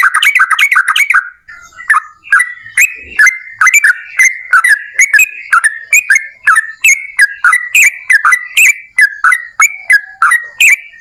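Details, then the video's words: Yellow-vented bulbul singing a long rapid-fire song meant to prompt other birds to sing. Bubbly, liquid phrases of rising and falling whistled notes repeat quickly and steadily, with a brief pause near the start. "TRUCUKAN GACOR Ropel Panjang"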